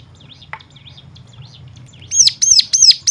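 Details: Stimulation song meant to get other birds singing. It opens with soft, scattered, high chirps, then loud, sharp, downslurred whistled notes burst in after about two seconds and repeat quickly over a low background hum.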